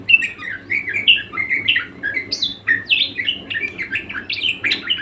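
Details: Budgerigar singing hard: a rapid stream of bright chirped notes with frequent upward and downward slurs, chattering on without a break.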